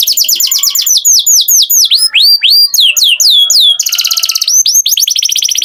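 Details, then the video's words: Canary singing a loud, high series of downward-curving whistled swoops, then a fast buzzy trill, then rolling repeated notes. "Canary Singing Beautifully"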